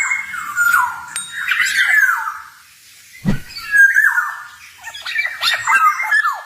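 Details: Black-naped oriole, a male in busy 'ngalas' style song used to train cage birds: scratchy, drawn-out nasal notes, then a sharp click and further wavering, descending phrases.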